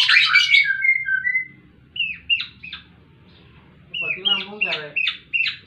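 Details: Fighting White-rumped shama, a burst of dense whistles then falling notes, pauses, and a series of short hooked high whistles with one harsh rattling note.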